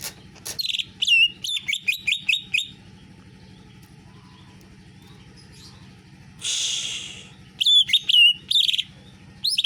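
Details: Captive greater green leafbird delivering canary-like phrases: sharp high whistled notes in quick groups, a long quiet gap, then a harsh buzzy burst and more bright chirped notes.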